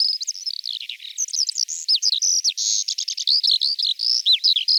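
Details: Eurasian skylark pouring out a loud, unbroken song of sharp chirps, looping whistled slurs and a few sustained bright notes, delivered at breakneck pace with no background sounds.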